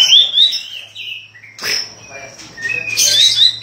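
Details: White-rumped shama singing: sweet high whistled phrases sliding up and down, a brief gap, then a sustained high note followed by dense rapid high twittering.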